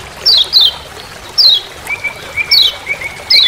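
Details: Forest recording of a Lemon-bellied white-eye from Lombok with its "ciak ciak" call: quick high chips sliding downward, some in pairs, then a long, thin, level whistle at lower pitch, against a soft hiss.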